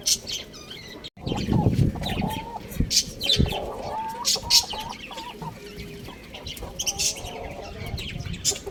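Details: Young rooster on a roof giving short, rough clucking and chirping notes in irregular bursts, mixed with rustling, wing flaps and sharp high chirps from other birds.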